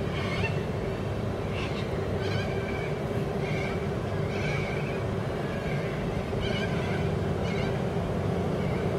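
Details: Corellas playing by swinging from wires on a busy road verge give short, harsh, ringing screeches, about one each second, over a heavy low rumble of wind or traffic.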